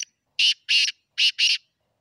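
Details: Black francolin, the kala teetar, giving its call: a brief opening note, then two pairs of loud, rasping, even notes, each about a fifth of a second, in clear silence.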